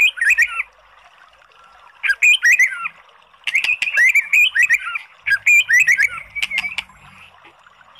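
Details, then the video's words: Oriental magpie-robin in song, used to provoke a reluctant bird into singing: short bursts of varied whistles and sharp chirps separated by pauses of about a second, each burst lasting roughly a second. "SUARA MURAI BATU bikin EMOSI JADI Naik BIRAHI NYAUT ¦ PANCINGAN MURAI"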